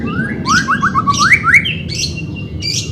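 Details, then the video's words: A white-rumped shama sings, used to train a bird unwilling to sing: a quick series of rising slurred whistles, then buzzy rasping notes, over a soft background hum. "CARA MELATIH BURUNG MURAI BATU MALES BUNYI"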